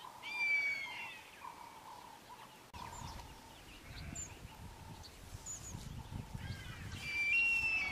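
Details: Wahlberg's eagle calling: two drawn-out, thin whistles, nearly level and then slightly falling, one near the start and one near the end, over a steady insect-like hum and faint bird chirps.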